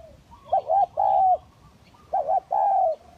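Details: Spotted dove (tekukur) cooing for luring, hybrid and village types: two phrases, each a short wavering double coo and then a sustained, slightly falling coo, with soft low background noise.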